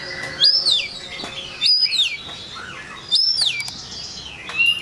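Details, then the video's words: White-rumped shama song meant to provoke rivals: high arched whistled notes repeated about every one and a half seconds, with softer downslurred notes between them. "Kicauan Murai Batu Yang Bikin Emosi Lawan"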